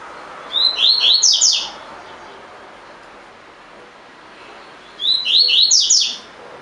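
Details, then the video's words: Caged collared seedeater repeating its 'tui tui' song as training audio: two near-identical one-second phrases of loud descending whistled slurs, roughly four seconds apart, with soft background hiss between. "COLEIRO DE GOLA TUI TUI FIBRA (8 Horas Encarte)"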